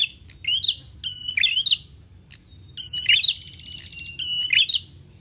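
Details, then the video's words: Lure sound that prinias answer: short rising chirps and brief buzzy trills, a long rattling trill near the middle, phrases at about 42 a minute with irregular spacing over faint background hum. "PRENJAK LANGSUNG NYAUT DENGAR SUARA PIKAT INI"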